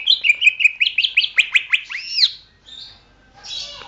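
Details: Greater green leafbird song for training songbirds: a fast series of repeated short chirps, then two rising-and-falling arched whistles, followed by softer scratchy notes.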